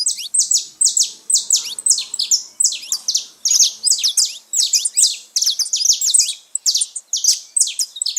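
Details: Wild saffron finches singing together out in nature: rapid bursts of high, clipped, falling chirps come almost without pause, several birds overlapping, with faint low murmuring in the first half.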